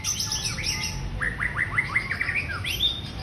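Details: Female white-rumped shama singing; a run of quick, sharply descending whistled notes repeated in a rapid series, preceded and followed by higher, thinner twittering phrases, with low background hum.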